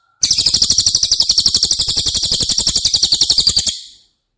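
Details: Training song of a cililin for caged White-rumped shamas: one sustained, piercing, high-pitched trill of rapid repeated pulses, roughly four per second, lasting about three and a half seconds, with clean silence before and after.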